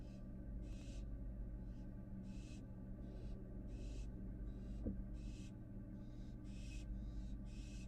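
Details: A returning fledgling American barn owl in its Florida nest box makes roughly eleven rasping hisses, each under half a second, spaced irregularly, with a low continuous hum and one faint click.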